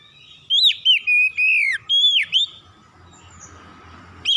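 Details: Oriental magpie-robin singing loudly: a run of clear whistled notes, some held level and others swooping down then up, in quick irregular phrases, followed by a pause with faint low hum and a final rising whistle.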